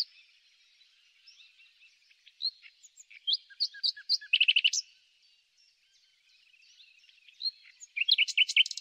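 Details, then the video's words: Spring song of a common nightingale: quiet twittering gives way to loud separate whistled notes, a rapid stuttering rattle, a brief lull, then a new burst of sharp, varied notes. "El Ruiseñor común - El canto más bello de la naturaleza"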